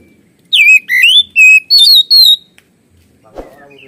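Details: Oriental magpie-robin (kacer) singing in the loud, open 'gacor ngeplong' style full of 'isian' imitated phrases: five clear, sharp whistled notes sliding and warbling over about two seconds, then silence and a single faint knock.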